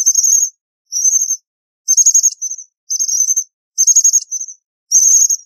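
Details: American bushtit repeating high sputtering trills roughly once per second, some followed by a short softer buzz, steady and insistent, with no other sounds.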